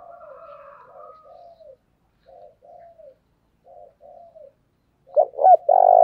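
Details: Decoy spotted dove cooing to stir wild doves into calling: soft, low, drawn-out coos repeat in short broken phrases, then a louder phrase of two quick rising notes and a throbbing held coo begins at the end.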